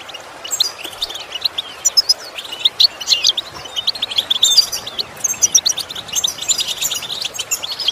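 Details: Goldfinch song used as a lesson for training goldfinches to imitate sounds: rapid, bright twittering and tinkling notes, high-pitched and continuous, with short trills and a few clear whistled notes.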